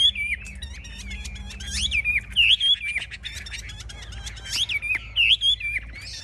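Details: Chinese hwamei, caged and displaying with wings raised and tail spread, called a hard fighter. It sings bright, loud whistled phrases that twist up and down, separated by short pauses, with fainter twittering in between.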